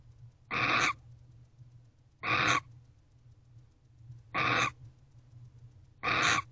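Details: Pre-dawn barn owl in a nest box, alert to something outside, 8 November 2023 at 5:13 am, gives four rough, breathy screeches about two seconds apart, each rising slightly at the end, above a faint low hum.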